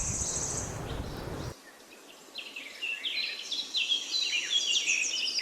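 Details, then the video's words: Loud broadband noise for over a second, then a quiet pause before birds begin chirping in rapid high twittering bursts that grow louder toward the end. "Beautiful Bird chirping sound"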